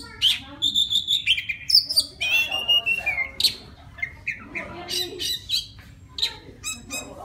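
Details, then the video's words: Wild Oriental magpie-robin calling a female with song: a loud, steady whistled note, then sliding phrases that fall in pitch, followed by scattered sharp high chips and short whistles. "Tiếng choè than rừng hót gọi mái"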